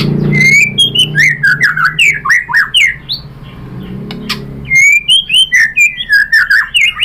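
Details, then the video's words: White-rumped shama singing loudly as a lure to set other shamas answering, delivering rapid varied phrases of bright whistles, slurred notes and sharp chips, pausing briefly midway before another burst, over a low background hum. "MURAI BATU jadi ikutan NYAUT GACOR BONGKAR MATERI ISIAN ¦ PANCINGAN MURAI ¦ SHAMA BIRD"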